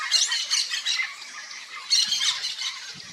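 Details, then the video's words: Free-living yellow-faced parrot, papagaio-galego, in Brazilian Cerrado habitat: loud grating squawks in quick bursts, a short pause, then another rasping burst, with a few faint low thumps near the end. "YELLOW-FACED PARROT Singing"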